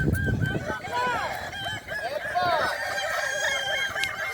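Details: Crowing contest final, boko class, Sirukam, Solok Regency: several Kukuak Balenggek roosters crow in overlapping series of curved, falling notes, amid loud background crowd noise and voices.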